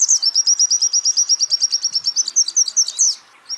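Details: White-eye of champion quality singing on a training recording: a rapid, even trill of around twenty high pulses, then a few sharp slurred chirps and a brief pause before one more note.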